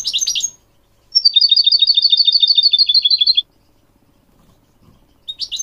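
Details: Tutor song of a goldfinch, played to train young goldfinch hybrids and canaries. Brief twittering notes start, then a steady two-second trill of evenly repeated high notes that drifts slightly lower, and a last buzzy flourish comes after a pause.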